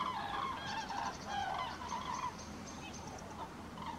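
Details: Common cranes flying over Halle (Westfalen), 5 March 2018, calling in a flock with many overlapping rolling, trumpeting notes in an unbroken chorus and no other clear sounds.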